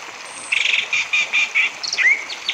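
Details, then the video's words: Lure song of an orange-headed thrush, meant to set other caged birds singing: quick rattling stuttered notes in a row, then a sharp upslurred whistle and scattered high chips. "PANCINGAN ANIS MERAH TERBARU TAHUN INI cocok untuk anis merah macet maupun anis merah gacor"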